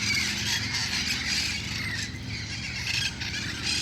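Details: Wild red-crowned parrots in El Cajon collecting at dusk ahead of roosting, producing rapid, jumbled raucous squawks and squeals that blend into a constant chorus over a low hum.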